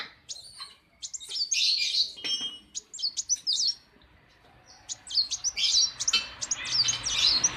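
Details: Kolibri wulung sunbird kept at a workshop, singing in the morning: high, thin chirps in two busy bursts separated by a short quiet gap.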